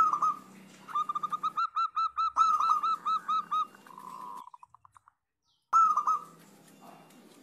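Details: Local zebra dove chorus meant to coax silent doves back into song. Rapid, evenly spaced coo notes at steady pitch, then a dense blurred trill fading into faint quick pulses, a pause, and a loud fresh burst of cooing.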